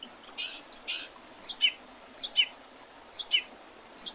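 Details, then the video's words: Early-spring birdsong beside the Oredezh River in Leningrad Oblast, Russia, recorded 8 April 2023: high twittering chirps in quick doubled bursts, repeated roughly every second, with steady soft background noise. "Весеннее пение птиц"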